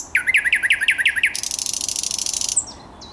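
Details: A thrush nightingale sings, 10 May 2021: eight loud, ringing downward-sweeping notes in quick succession, followed by a long fast dry rattle lasting over a second, then a thin high whistle.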